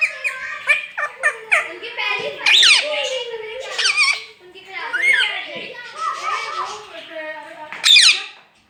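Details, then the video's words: Pet talking parrot, a ringneck, speaking "Mian Mitthu Chori Khani Ha"; rapid run of squeaky, speech-like syllables, some rising and falling, ending with a shrill high note. "Mian Mitthu Chori Khani Ha talking parrot speaking parrot"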